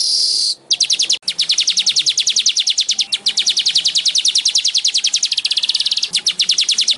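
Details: Baya weaver (Ploceus philippinus) song: a fast run of dry, high ticking chatter, about ten notes a second, with a brief faint hiss at the start; used as a master recording to get caged birds singing.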